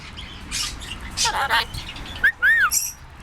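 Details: Pet parrot talking and being silly, giving harsh chattering, speech-like bursts followed by two short, clear, arched whistles near the end.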